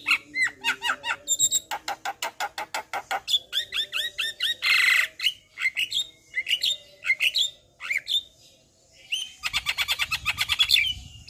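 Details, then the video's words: Javan myna singing a lively, varied song of rapid runs of sharp repeated notes, rising whistles and a harsh grating burst, ending in a fast buzzy chatter. "JAlak kebo GAcor Full Isian Masteran Jalak Kebo"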